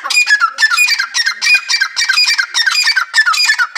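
A grey partridge gives harsh, grating, creaky squawks, each falling slightly in pitch, repeated rapidly about three times a second with no other sounds.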